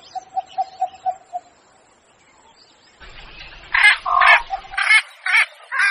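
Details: Javan pond heron lure calls: after a row of soft, evenly spaced piping notes and a quiet pause, loud harsh squawks start, coming roughly twice a second in hoarse, rasping bursts.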